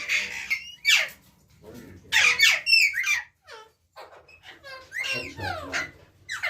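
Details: Ringneck parrot producing rapid, downward-sweeping squeaks and shrill squawks in clustered bursts, with brief silence midway and talking-like sounds mixed in.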